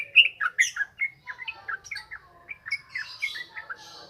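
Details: Yellow-vented bulbul in a ngropel ngalas style song used as a training lure: quick, slurred whistled notes tumbling downward, then scattered chirps and softer twittering toward the end.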